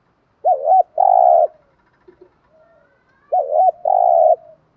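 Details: Spotted dove lure bird in its daily 'thúc gù' urging coo aimed at provoking wild doves. The same phrase twice, about three seconds apart: a quick double-humped note followed by a long, loud, level buzzy coo.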